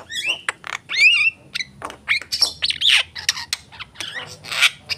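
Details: Javan myna song, a varied jumble of harsh squawks, sharp clicks and whistled notes with rising and falling slurs, delivered in rapid irregular bursts with brief gaps.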